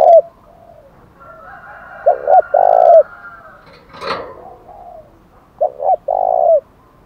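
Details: Spotted dove 'thổ đồng' fighting challenge call: two loud phrases of paired hoots and a long coo about three and a half seconds apart, a short click-like noise between, and soft background cooing.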